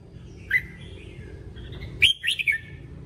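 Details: Red-whiskered bulbul practice song for voice training: an isolated whistled note, a soft connecting tone, then a fast phrase of three bright, warbling notes ending in a downward slur. Low steady hum.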